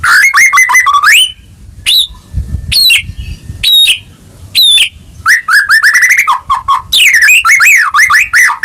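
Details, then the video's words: White-rumped shama in full song, used to coax a caged bird that has stopped singing; loud varied phrases of whistled slurred notes, rapid rising trills and sharp repeated chips with brief pauses. "Pancingan Murai Batu Macet Bunyi Langsung Gacor Dor"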